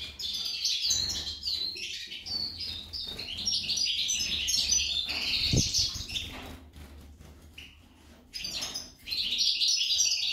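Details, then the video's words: A female goldfinch, compared to a hummingbird, pours out a jumbled high twittering song with rapid chirps and trills, a short dull knock midway, and a quieter lull before resuming. "Impresionante la jilguera parese un colibri"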